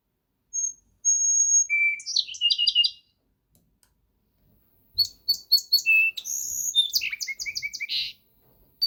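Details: Song Sparrow, an Ottawa-area resident often heard before seen, singing two songs: clear high whistled introductory notes, a lower note, then rapid buzzy trills and chips; no other sounds.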